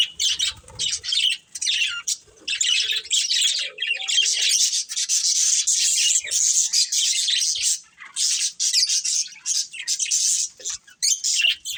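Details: Pair of breeding budgies in continuous, raspy, hissing chatter, dense scratchy notes packed together with brief dips, steady and busy throughout.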